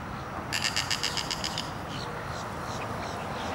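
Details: Snail kite at Tohopekaliga Lake, Kissimmee, Florida, United States: a rapid dry rattle of about nine nasal, harmonic notes in one second, then faint scattered calls over steady background noise.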